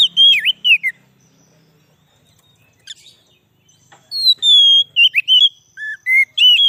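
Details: White-rumped shama song for luring wild shamas: a few looping whistled notes, a near-silent gap, then a longer run of clear, sliding whistles and slurred phrases.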